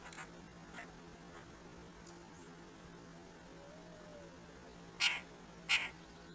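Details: At a squirrel feeder with two red-breasted woodpeckers, a pair of sharp, rasping calls comes late, spaced under a second apart, after faint softer notes and a low hum.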